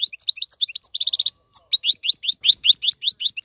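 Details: European goldfinch song for young birds to learn: quick chirps, a short buzzy trill, a brief pause, then a steady series of bright upslurred notes.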